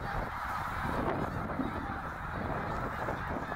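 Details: Migrating snow geese in the tens of thousands at Middle Creek, Pennsylvania, 2023; a blurred chorus of honking under heavy low rumbling noise.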